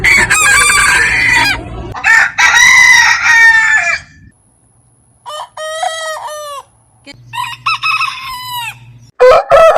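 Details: Roosters of various heritage breeds crowing in a rapid sequence. Opening crows are dense and raspy, followed by cleaner arched crows with repeated dipping notes. A low humming background is present, and a thin high tone is audible briefly.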